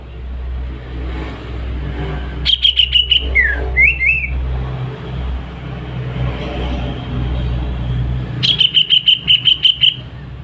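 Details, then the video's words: Healthy greater green leafbird singing at home in a clear voice. Two bouts of fast repeated piercing whistles, the first ending in down-and-up slurred notes, separated by several seconds of quiet. Steady low vehicle hum runs throughout. "Cucak ijo sehat, suara jernih"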